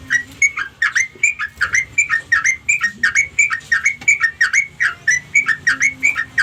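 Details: Sooty-headed bulbul calling to its flock mates with a lively series of clear, slurred chirps. The notes come in quick pairs and trios with short pauses between, over a soft low background hum.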